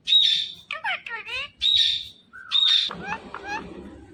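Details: Talking Indian ringneck parakeet kept as a pet mixes high piercing whistles with rapid, voice-like chattering phrases that slide up and down, ending in softer murmured syllables over faint room noise.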